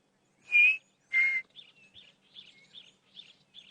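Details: Chin-spot batis calling during a morning safari drive: two loud, clear whistled notes held at one pitch, then a quick series of softer, higher chattering notes.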